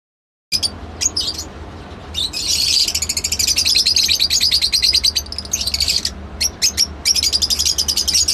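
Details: Lovebird calling with dense, shrill, high chirps packed into rapid bursts, a short silence at the start and then almost continuous chatter with a faint low hum underneath.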